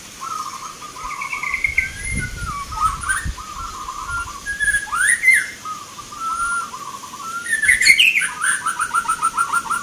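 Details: Zebra dove (local perkutut) singing at a song competition of the Mentaraman rhythm style in Jogjakarta, Indonesia, 19 November 2023; soft cooing phrases of short pulsed notes with rising slurs, other birds chirping faintly and crowd noise.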